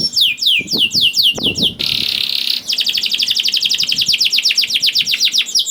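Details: Canary in vigorous full song, used as a lure to prompt reluctant canaries to sing: high sweeping downslurred notes, a dense buzzy roll, then a long fast series of rapidly repeated ringing downsweeps.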